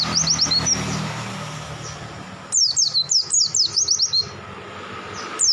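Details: Wild-caught oriental white-eye opening with softer twittering notes, then a loud lively run of about ten high, slurred downward whistles, and a fresh phrase at the end. Light background hum.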